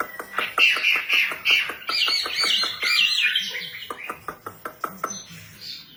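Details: Vigorously singing female wambi: dense warbled whistling mixed with regular sharp clicking notes, about four per second, rising into a bright jumbled phrase before fading into spaced clicks.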